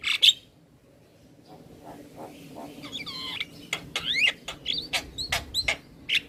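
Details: Energetic black-winged starling song with head nodding, meant as a prompt for silent starlings: a sharp opening note, a quiet stretch with faint wavering warbles, then a brisk series of clicks and rapidly swooping squeaky whistles.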